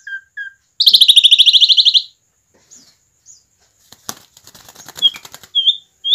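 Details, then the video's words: Asian pied starling in full singing form, song meant to lure other starlings into singing: brief whistles, then a loud harsh rapid rattle for about a second, followed by rustling and scattered short whistled notes. "jalak suren gacor ngoceh santai cocok buat pancingan jalak suren"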